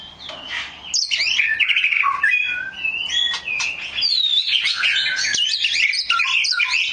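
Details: Oriental magpie-robin in sustained, energetic song: tumbling high whistles, trills and chattering notes in rapid, irregular sequence over seven seconds, barely pausing.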